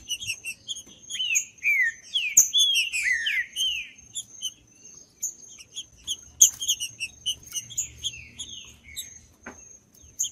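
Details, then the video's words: Green-winged saltator, judas song type, used by tournament keepers to warm up a cold bird: a long phrase of repeated slurred descending whistles, followed by bright high chirps from other birds and a continuous thin high tone. "ESQUENTAR TRINCA FERRO FRIO 2024 | TRINCA FERRO CANTANDO TRINCA FERRO JUDAS"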